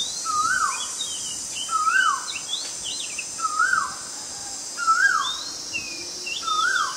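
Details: Oriental magpie-robin in Ubon Ratchathani, Thailand, recorded 20 March 2022, very common resident: loud whistled notes rising and dropping, repeated about every one and a half seconds, mixed with higher sweeping notes over a constant insect hum.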